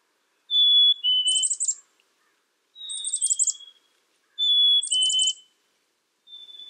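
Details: Three rounds from a black-capped chickadee, each a high-to-low whistled pair joined to a rapid buzzy dee burst, spaced about two seconds apart.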